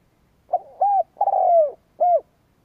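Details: Cooing of a decoy spotted dove meant to provoke rival doves: a short note, then three mellow hollow coos, the third long and sliding downward, the last one arched; no other sounds.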